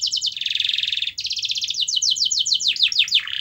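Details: Canary song intended to make a quiet canary start singing: quick trilled notes, a dense buzzy roll, then a long trill of repeated notes ending in falling swoops and a lower tone.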